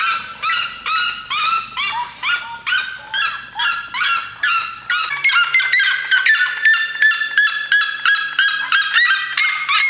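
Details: Red-legged seriema song: a run of loud, falling, barking yelps, then faster, shorter clipped notes crowding together, possibly two birds calling at once, repeated roughly three times a second.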